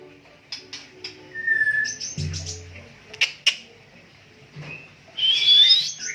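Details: White-rumped shama of the Medan type, caged and in conditioning care: scattered short chips and a thin whistle, ending in a loud, bright warbled phrase, with a low brief thump partway through.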